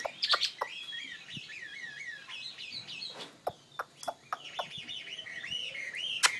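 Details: Chinese hwamei, a fighting bird, singing a lively warbling song of looping, wavering whistles. The song is broken by sharp knocking clicks and taps throughout.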